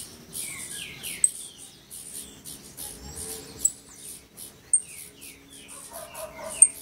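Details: Male saffron finch at the nest feeding its chicks in January: short downslurred chirps in quick runs alongside repeated high hissing bursts, with a few sharp clicks and faint low background hum.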